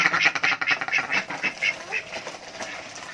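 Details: Adult duck asking for food: a run of quick, raspy quacks that gradually fade and thin out over three seconds.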